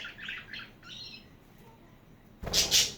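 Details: Budgerigars chirping: soft, warbled high chirps at the start, a quiet stretch, then two loud, harsh squawks at the end.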